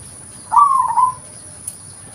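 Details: Single trilled coo from a local zebra dove, recorded as a lure sound: a gliding note that breaks into quick beats, with a faint click shortly after.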